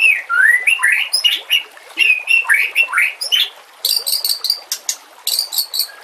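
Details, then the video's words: White-rumped shama song for training other birds, with trickling water: loud upward-swooping whistles repeated in quick succession, followed by harsh, buzzy high chattering bursts, all over a soft steady water hiss. "Masteran murai TERAMPUH yang di pakai semua burung juara"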